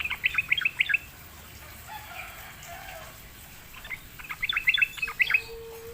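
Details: Lured sooty-headed bulbul answering in song: a quick burst of bubbly chirps, a quiet pause, then another lively run of tumbling notes near the end.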